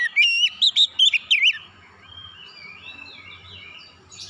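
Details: Quick series of about six loud, wavering whistled notes from an oriental magpie-robin, rising and falling sharply, followed by faint twittering and low background hiss.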